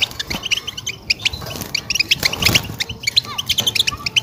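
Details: European goldfinch singing a breeding-season mating song meant to stimulate a female ready to breed; rapid bright twittering chirps and buzzy notes in quick irregular bursts, with some low background rumble.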